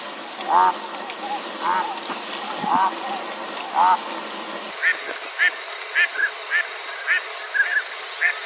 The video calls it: pintail Duck sound